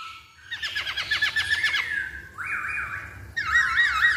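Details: Masked laughingthrush song used as a lure to draw other birds into singing: a rapid run of buzzy, stacked notes, then a sustained whistled tone and wavering, warbled whistles that rise and fall.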